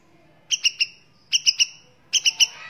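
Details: Murai batu, or white-rumped shama, on a training recording: three bursts of three sharp bright chips each, evenly spaced, over a quiet background.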